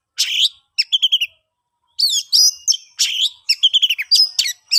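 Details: Oriental magpie-robin song for luring silent birds to sing: a harsh burst, a run of five quick repeated notes, a pause, then a rich flow of slurred whistles and chattering notes.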